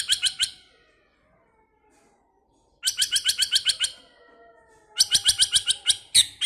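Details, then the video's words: White-rumped shama in many-voiced song, here made of three bursts of very high, dry, rapidly repeated clicking notes, each about a second long and separated by silent pauses, with faint lower whistled lines. "chòe lửa hót,chòe lửa chuyền mùa đầu"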